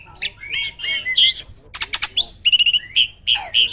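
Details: Loud 'tembakan' song from a caged competition starling. Harsh squawky phrases lead into a series of sharp clicking pulses and repeated bright piping whistles, about five in a row.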